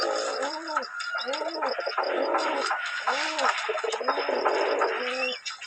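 Pigeons coo in soft, low, rolling burbles, about four phrases in under six seconds, with a busy background of chirps and chatter.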